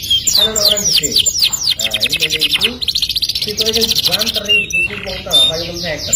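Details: Kenari, a caged canary, singing a lure song in the ngerol nembak manner: rapid rolled trills alternate with piercing whistled bursts and descending sweeps. Nonstop delivery runs over music and a murmur of voices.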